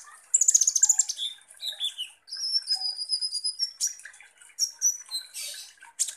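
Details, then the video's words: Kolibri ninja sunbird singing loudly, used as a lure to provoke other birds: high, sharp twittering with thin whistled notes, descending slurs and fast chirp bursts running continuously. "KONIN Langsung EMOSI dan NGOBRA dengan PANCINGAN kolibri ninja GACOR ini"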